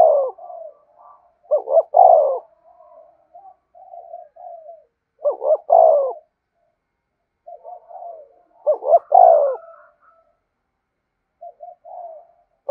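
Spotted Dove giving soft, hollow cooing phrases, each a few mellow notes, repeating every three to four seconds.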